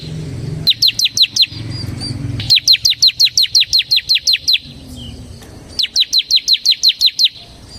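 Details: Bar-winged prinia of the semi type singing in full voice in the rapid ngebren style, used to lure and tutor caged birds: bursts of five, eleven and eight sharp, high, downslurred chips in quick succession, separated by pauses with faint low rumble.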